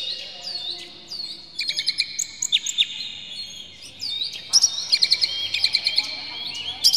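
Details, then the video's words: Oriental magpie-robin (kacer) singing a rough, varied provoking song aimed at making other magpie-robins sing: clusters of quick chips, clear whistled notes and, later, loud rapid doubled notes repeated in bursts. "dijamin kacer langsung ngamuk2 dengar kacer ini bongkar emosi buka ekor ngobra full isian"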